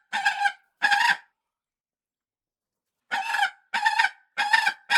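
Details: Falcon calling in harsh, harmonic bursts of about half a second: two calls, a pause of nearly two seconds, then four more in quick succession, with silence between them.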